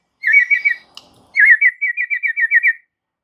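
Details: White-rumped shama, used as a lure for stalled, stressed birds: a short warbled whistle, a click, then a fast even trill of about ten repeated whistled notes.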